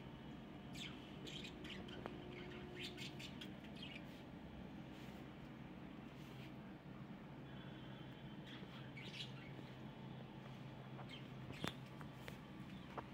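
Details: Budgerigars give short, scattered chirps and squeaky tweets over a steady low indoor hum; parrots at day 78 of growth. Finding: Budgerigar.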